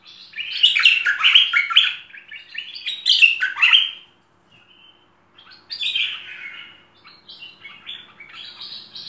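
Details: Merbah lekir bulbul in a varied training song: rapid runs of bright chirped and warbled notes, a clear pause of about a second midway, then further chattering phrases resume, quieter toward the end.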